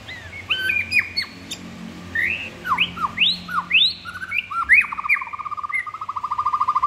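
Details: Rich, varied white-rumped shama singing, with swooping upslurred and downslurred whistles following one another, then rapid buzzy rattling trills closing the phrase, all loud against a quiet background.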